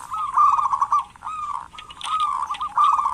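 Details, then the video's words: Actively calling local zebra dove, a lure for lazy doves: dense, continuous rolling coos at a steady pitch with overlapping trilled notes and barely any pause, loud throughout. "Perkutut lokal gacor pancingan perkutut malas agar bunyi"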